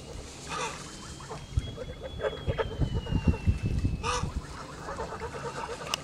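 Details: Pure white male Kholmogory goose, aged 2 months and 26 days, recorded on a farm on 20 August 2017. Short nasal honks come in harsh bursts near the start and again around four seconds, over low rumbling background noise and a faint steady whine.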